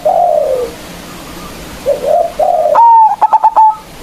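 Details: Loud-voiced local zebra dove singing as a lure to call opponents: low mellow coos, then a sharp bright whistle broken into a fast burst of four or five clipped notes.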